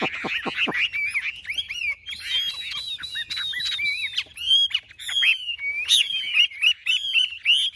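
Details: Two tame Chinese hwamei held on the hand in a singing contest give loud, rich song: rapid whistled phrases, slurred rising and falling notes and harsh chatters, with the second bird answering at times.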